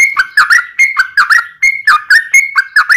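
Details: Yellow-vented bulbul song in the 'ropel panjang' style played to set other bulbuls singing: quick repeated pairs of clear whistled notes, a higher steady tone followed by a lower warble.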